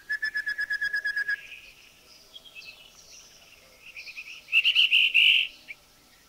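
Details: Rufous-fronted Babbler from Thailand: a rapid run of about twelve hooting whistled notes at a steady pitch, then after a pause a louder, higher, grating churring burst of quick pulses lasting about one second.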